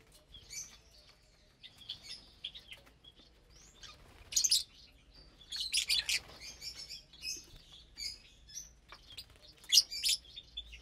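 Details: Lovebirds eating together on a Saturday morning; ongoing soft twittering punctuated by occasional loud, shrill chirp bursts.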